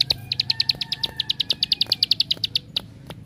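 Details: Bar-winged prinia, called ciblek sawah, singing a lure song to draw other prinias into song: a steady string of crisp, high metallic chips, roughly seven per second, with a faint low background hum.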